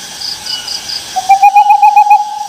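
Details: After a short quiet stretch, an owl starts a high, tremulous call of quick beats that settles into a smooth, long-held note.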